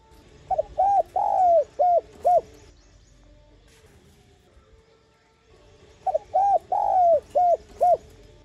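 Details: A spotted dove gives two phrases of five soft, hollow coos, the second coo longer and swelling, about five seconds apart over a quiet hum; a calling and urging song played to provoke wild doves to respond.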